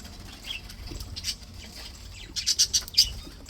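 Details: Budgerigars, described as happy and healthy, give a quick run of four or five sharp high chirps near the end, after quieter rustling and faint twitters.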